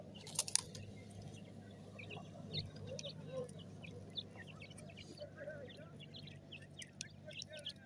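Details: Chicks of the grey francolin, known locally as desi teetar, give scattered high peeps and short chirps, several birds calling at once, over a constant low humming background with a brief noisy burst early on.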